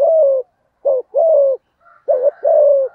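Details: Male-provoking coo of a spotted dove, thổ voice: low mellow coos, short then long, repeated in quick succession, with a faint thin whistle in the background.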